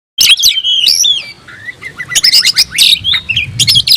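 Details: Oriental magpie-robin (kacer) singing as if seeking a rival: loud varied phrases of sharp whistles, rising and falling slurs and harsh chattery notes, packed densely with brief pauses.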